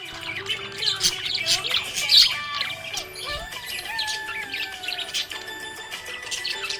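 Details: Happy pet budgerigar chirping: bright, rapid twittering notes and short squawks, mostly high-pitched, tumbling irregularly over a steady musical backing track with sustained tones.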